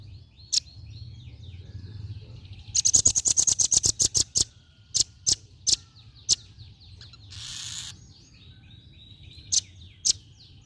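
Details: Velvet-fronted nuthatch, a female, calling with a rapid run of piercing high chips, then single sharp ticks spaced a second or so apart; a short rustling burst in between and faint far-off twittering behind.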